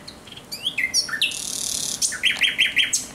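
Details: Thrush nightingale singing at night on 17 May 2023: a rapid varied phrase of whistled slurs and upsweeps, a dense buzzy rattle, then a run of four sharp repeated clicking notes.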